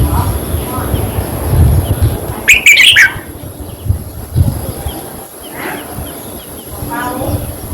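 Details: Red-whiskered bulbul, a recording meant to rouse caged birds: a short, rich, chattering phrase of tumbling notes near the middle, with a few fainter chirps later over low rumbling background noise.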